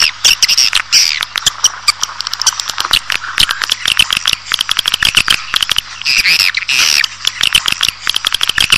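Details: Swiftlets calling, a sound used to lure a colony into a building; dense overlapping high chirps and twittering trills over a rapid, almost continuous rattle of sharp clicks, with brighter bursts of chirping near the start and around six seconds.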